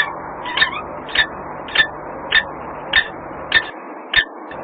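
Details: A common kestrel in Włocławek gives a steady run of sharp, shrill 'kee' notes, about one every half second, over a faint low hum.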